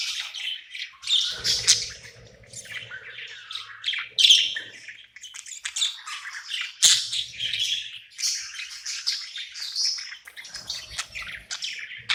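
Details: Budgerigar (Melopsittacus undulatus) at night, happy in its new home, warbling continuously: a busy mix of high chirps, squawky notes and chattering trills with brief low thumps beneath.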